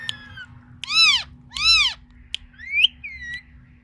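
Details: Pet parrot talking: a few loud harmonic arching syllables, then a rising squeaky phrase and short whistled notes, with a steady low hum beneath.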